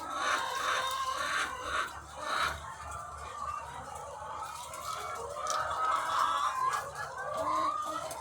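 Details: Thousands of laying hens on a farm fill the air with rapid, irregular clucking and wavering drawn-out calls, overlapping into a steady, pulsing din.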